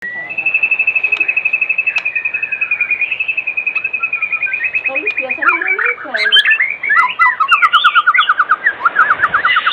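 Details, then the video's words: White-rumped shama singing vigorously in the evening as a lure to prompt other shamas to sing: a long run of rapid, evenly repeated whistled notes, then a burst of varied, tumbling whistles and quick rising and falling phrases. "Pancingan Sore Murai Batu Gacor"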